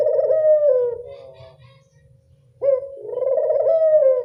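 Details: Lure call of a local Barbary dove, meant to draw in doves: one drawn-out rolling coo fading away, a second of near silence, then a sharp note launching another vibrating coo, with soft low rumble beneath.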